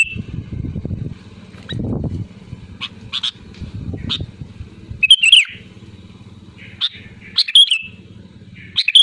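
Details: Sooty-headed bulbul singing loudly as a lure for others: faint whistled notes over rumbling engine noise early on, then louder, bubbly chortling phrases repeated every second or two as the rumble gives way to a steady hum.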